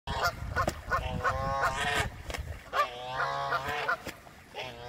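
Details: Canada geese fighting, giving a rapid run of harsh, nasal honks with bright stacked overtones, several calls overlapping in quick bursts against low rumbling background noise.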